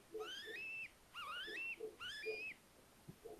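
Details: Little owls at an attic nest in a house at Tiszalök, Hungary, near Hortobágy National Park, in early May with four owlets after hatching; three drawn-out, rising, whistled calls over soft, low, short notes.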